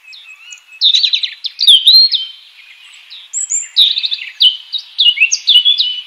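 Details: Wild European robin chirping: bright, high-pitched warbling phrases of quick slurred notes and short trills, delivered in two rapid bursts separated by a brief pause, with a clean, quiet background and no other clear sounds.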